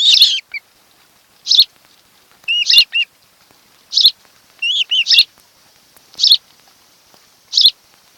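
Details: Osprey pair's nest on Kent Island, Maryland, nest camera, afternoon of 26 July 2018; sharp high chirps repeated roughly every one to two seconds, some doubled with shorter piping notes, over a quiet background.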